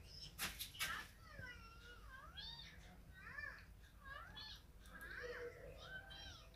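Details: Rose-ringed parakeet, a green ringneck kept as a pet, talks while playing and feeding, with wavering, speech-like harmonic phrases rising and falling through the clip after a few sharp clicks at the start.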